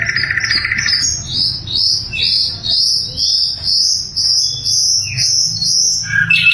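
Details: Loud, clear sikatan londo flycatcher song used to train magpie robins and other songbirds. Opening with a trilled note, it then repeats rising, slurred whistles about twice a second in a steady series.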